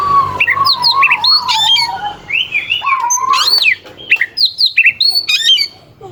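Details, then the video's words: Oriental magpie-robin in full song, a bird used to provoke rival magpie-robins into singing: varied whistled phrases, low warbling notes then sharp rising and falling whistles, some harsh notes, with a faint low hum behind. "Suara kacer gacor NGEPLAY KONSLET pancingan kacer ampuh bikin lawan ikut EMOSI"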